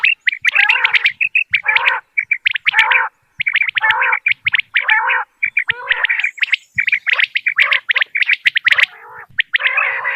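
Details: Common quail from Dera Ghazi Khan, recorded for quail hunting: loud bursts of rapid, rattling, liquid notes, repeated nearly every second with short silences between them, and a faint high whistle in the background.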